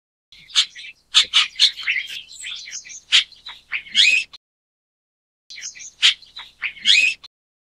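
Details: Chestnut-tailed Starling (Sturnia malabarica) giving two bursts of chattering, squeaky notes, high and varied, each lasting a few seconds with a short pause between.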